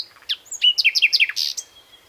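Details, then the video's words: A common nightingale (Luscinia megarhynchos) gives a short phrase: a high whistle, then about seven rapid, evenly repeated sliding notes and a buzzy burst, trailing into a thin, steady whistle. "Појот на славејот / Nightingale song"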